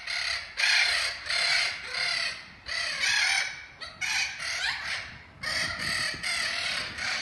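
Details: Spix's macaws, a group chosen for return to Brazil, kept in a large flocking aviary, give harsh, loud, raspy calls in bursts of about half a second, overlapping and repeating almost continuously.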